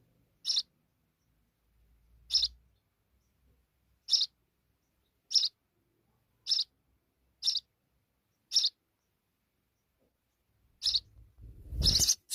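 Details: House sparrow with her young: single short harsh chirps repeated roughly every second, about eleven in all, with low thumps and a rustling burst near the end.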